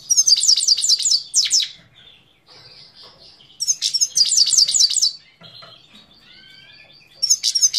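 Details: A Himalayan goldfinch from Parachinar, Pakistan, sings bright, rapid tinkling trills, high and liquid, in bursts of about a second broken by softer nasal twitters and short pauses.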